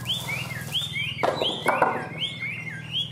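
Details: Caged Chinese hwamei, described as a tame bird with one regrown claw, singing slurred whistled notes that rise and fall and repeat roughly every half second. Brief clattering taps sound midway, with a low steady hum underneath.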